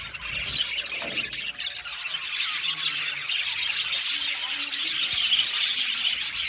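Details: Blue male budgerigars kept in an aviary colony, chattering together in a dense, continuous wash of high chirps and squawks, with many birds overlapping and no clear pauses.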